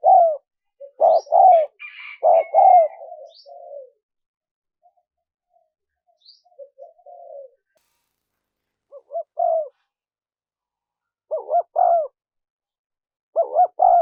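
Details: Spotted dove coos played to lure wild doves: bursts of loud hollow paired coos with trailing murmurs, separated by quiet gaps of several seconds, plus a brief thin whistle early on.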